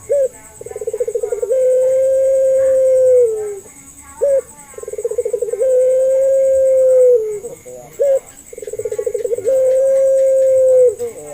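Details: Lure calls of a local puter pelung dove intended to make other doves respond. It gives three repeated phrases, each a short note, a rapid pulsed lead-in and a drawn-out level coo, at roughly four-second intervals.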